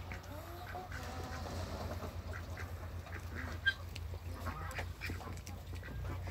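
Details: Low, drawn-out calls mix with scattered clicks and faint quacks while Pekin and hybrid mallard ducks, four in all, come together. A droning hum sits beneath the calls.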